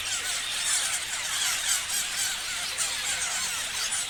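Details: Many parrots chatter at once, producing a constant stream of thin, high chirps and warbling squeals layered into an even, dense background.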